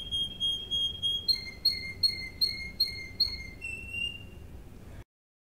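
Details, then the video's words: Russian canary training song: a held whistled tone followed by six evenly repeated two-pitched notes and a higher closing whistle, then silence. "THE BEST RUSSIAN CANARY SINGING (Audio 2:31 Min ) For Training - Serinus canaria VOICE"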